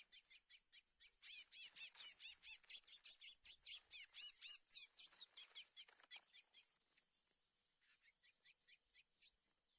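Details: Wild male black Lesser Seed-Finch (curió) in the 2024 trapping season, singing aggressively against a borrowed decoy curió: rapid series of bright, sweeping chirped notes about two per second, loud at first, then fading and more spaced.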